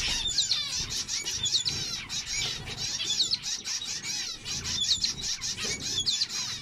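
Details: Zebra finches in a dense chorus of nasal, buzzy, trumpet-like chatter, many short notes overlapping continuously with no pauses.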